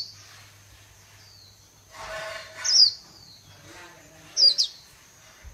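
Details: Japanese white-eye in khuyên líu singing style from Vietnam: two short, very high, twittering falling phrases stand out against a quiet background with a faint low hum.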